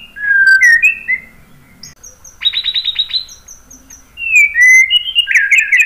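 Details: White-rumped shama singing, used as a lure to draw out replies: clear whistled slurs, a fast rattling burst of about eight repeated notes midway, thin high whistles, then more looping whistled phrases, with faint low background hum.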